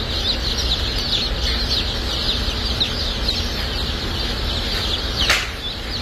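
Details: Crowd of newly hatched Dark Brahma chicks at a hatchery on shipping day, giving a constant wash of high, overlapping peeps with a low mechanical rumble beneath and one brief louder rustle.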